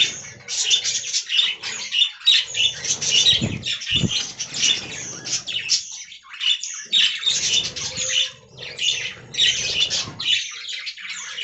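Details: Budgerigars in a colony aviary, a dense flock chattering: rapid high scratchy chirps and warbles overlapping without pause, with brief low thumps near the middle.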